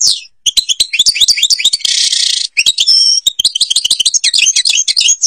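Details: Algerian European goldfinch song: a nonstop run of fast, tinkling high chirps and trills, broken near the middle by a short harsh buzzy burst before the bright twittering picks up again.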